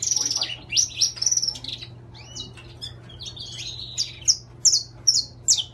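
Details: Saffron finch, intense-yellow type, opening with a dense burst of high twittering notes, then slowing to scattered single sharp chirps spaced about half a second apart.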